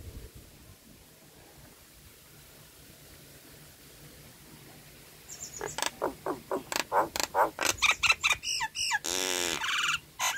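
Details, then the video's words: Nias hill myna lure song meant to restart silent, stressed or moulting mynas: several seconds of quiet background, then loud clipped whistles and sharp notes in quick succession, ending in a dense harmonic buzz. "PANCINGAN JALAK NIAS LEPAS- MACET BUNYI-STRES dan MABUNG"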